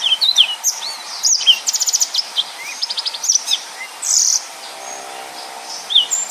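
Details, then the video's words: Yellow-fronted canary, a kept songbird from Indonesia, singing a dense, continuous 'nembak' style song: rapid high chirps, sweeping whistled notes and fast trilled bursts of repeated notes, with a short buzzy phrase near the end. "Burung Mozambik Gacor||Suara Nembak Full Rapet"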